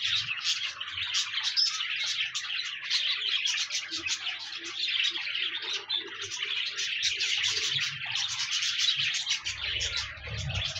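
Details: Lively pet budgerigar chatter, intended to get a lonely budgie singing, keeps up a constant high twitter of chirps, squeaks and trilled warbles, with soft low murmuring and a brief low rumble near the end.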